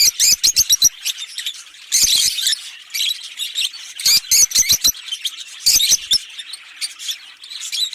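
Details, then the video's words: Fischer's lovebird pair, green, singing and chirping with rapid clicking squeaks in quick runs, loud staccato bursts alternating with denser scratchy twittering. "Lovebird Singing & Chirping Sounds - Green Fischer Pair"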